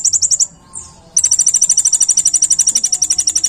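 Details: A sunbird known locally as kolibri ninja delivers tembakan-style shots for bird tutoring: a short high chattering trill, a brief pause with a thin slurred note, then a long, steady, machine-gun series of piercing high chips.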